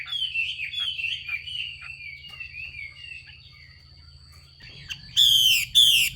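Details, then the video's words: Chinese hwamei female call for stimulating males to sing: a run of wavering warbled notes fades out, then after a near-silent pause come two loud, harsh, broadband rasping bursts. "Tiếng chim mi mái xùy kích trống"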